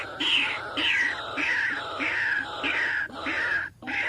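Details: White-breasted waterhen lure call, played to attract a group of these birds: hoarse, nasal, repeated notes, each a falling buzzy phrase, roughly one and a half per second, with a brief gap near the end.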